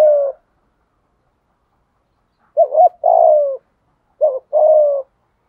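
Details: Spotted dove calling to attract wild doves: after a trailing coo, two phrases follow, each a quick double note and then a long, low, slightly falling coo.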